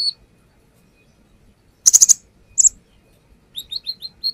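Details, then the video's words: Konin (brown-throated sunbird) singing as a lure recording: a lone high note, a pause, a rapid stuttering burst of piercing notes, another short burst, then a string of brief descending high chirps. "AKSI KONIN NAGEN BONGKAR ISIAN | Pancingan konin"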